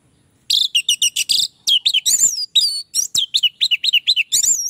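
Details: Lure song of an orange-headed thrush for attracting others of its species: a long, varied, continuous stream of high chirps, sweeping whistles and fast trills, notes tumbling in quick succession for over four seconds.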